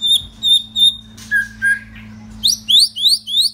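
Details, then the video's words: White-rumped shama, an older captive male kept in case wild genes are needed, singing: three steady high whistles, two lower drawn-out whistles, then a quick series of rising, slurred whistled notes over a low electrical hum. "White Rumped Shama"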